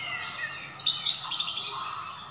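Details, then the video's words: Orange-headed thrush singing in an entranced, absorbed state: a quick burst of high, jumbled chirps and twittering whistles against a faint steady hiss. "Anis Merah Teler"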